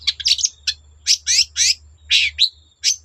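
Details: Long-tailed shrike singing to spur other shrikes to sing: short, harsh, scratchy bursts and chattering notes with a few sliding whistles, given in quick succession over a faint low hum.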